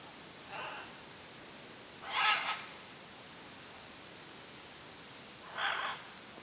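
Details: Scarlet macaws (Ara macao) at Cerro Osa give harsh, raspy squawks: one faint, then two louder ones about three seconds apart, over a steady background hiss.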